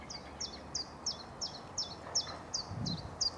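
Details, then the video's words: A great tit gives a run of about ten sharp, high 'chink' calls, each dropping quickly, about three a second, over faint low background rumble. "Great Tit chirrupping its 'chink' call"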